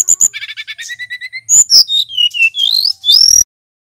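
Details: Loud, clear song of a male Brown-chested Jungle Flycatcher from Bali: a rapid series of stacked chirps, then sweeping high whistled notes that rise and fall before stopping abruptly.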